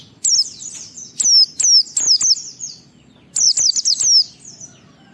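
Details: White-eye singing to draw other white-eyes into song: rapid strings of piercing, high downward-sweeping whistles in two main bursts, quieter trailing notes between, faint background hum.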